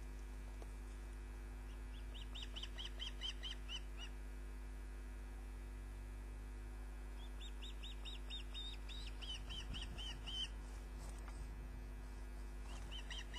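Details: Osprey at its nest, picked up by a live nest camera on 29 June 2010: two bouts of short, high, whistled chirps repeated rapidly in even series, over a steady low electrical hum.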